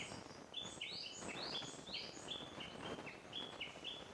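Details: Little grebe parent with chicks at Akigase Park in May: thin, high chirping notes repeated rapidly, roughly three each second, over a steady background hiss.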